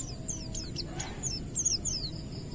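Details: Ngalas-type Oriental white-eye song meant to coax untrained white-eyes into singing; sparse high, sharply falling whistled slurs, a few at a time, with a quiet pause between phrases.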